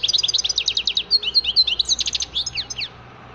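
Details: Goldfinch song in a fast continuous stream of high, tinkling, slurred notes and chirps, rising and falling in pitch for nearly three seconds before stopping.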